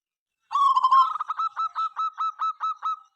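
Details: Local zebra dove in full song, sung morning to night and prompting rivals to answer: one phrase of a short warbling coo followed by about nine evenly spaced, clipped cooing notes over two seconds.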